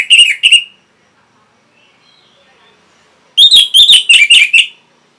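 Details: Orange-headed thrush (anis merah), a caged bird, singing as a lure to stimulate other caged birds to sing: two short rich whistled notes, a pause, then a fast run of six sharp chirping, warbled notes.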